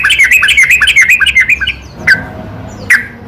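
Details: Yellow-vented bulbul singing at night, a lure recording used to provoke reluctant bulbuls into singing: a quick run of bright chirped notes with bouncing pitch, then a pause and two single sharp notes.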